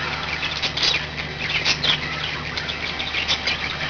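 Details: A group of five budgerigars kept as pets, heard as softer scratchy twittering and a few thin whistled notes against a constant low droning hum.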